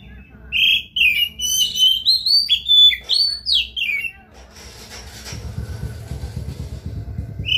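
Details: Oriental magpie-robin in full song, played to prompt a silent magpie-robin to sing: about four seconds of rapid, loud whistled phrases, rising and falling slurs with sharp chips, followed by a low rumbling hiss.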